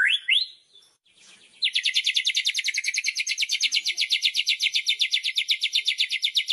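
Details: Loud kretekan song of a white-rumped shama, meant to stir other shamas: two short upslurred notes, a brief pause, then a long, even, very fast high rattle of sharp notes.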